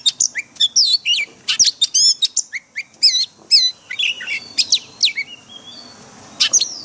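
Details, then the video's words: Oriental magpie-robin forest-style song for daily training of caged birds: quick, varied phrases of whistled upslurs, sharp chips and warbled sweeps, becoming sparser near the end with a faint trailing whistle. "Luyện chòe than hót giọng rừng mỗi ngày"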